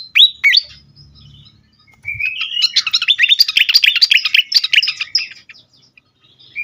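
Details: Excited fantail sings: a few clear whistled opening notes, a pause, then a dense, fast burst of sharp, high chirps and twittering for about three seconds, ending with a lone whistle in a quiet background.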